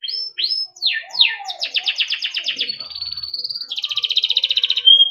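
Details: Timbrado canary singing for training: a few looping swoops, a run of quick falling notes, a level whistle, then a fast even pulsed roll ending in a short whistle.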